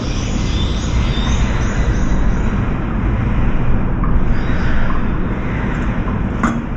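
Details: Dense roaring traffic noise, loud and steady throughout, with no clear animal call.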